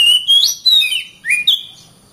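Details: Short phrase from a singing kacer, or oriental magpie-robin: a few loud clear whistles, one rising sharply, another dipping, then a bright upward-sweeping note and a level whistle.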